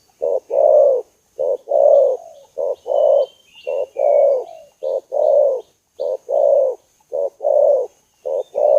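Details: Spotted dove calling to provoke a rival: very regular soft, hoarse double coos, short then long, about once a second, with thin high chirps of other birds faintly behind.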